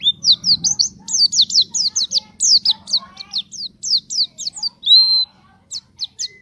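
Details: Pleci (white-eye) in full gacor, nembak song, used to draw other white-eyes into singing: a fast series of very high, sharply descending whistled notes, then one longer steady whistle near the end.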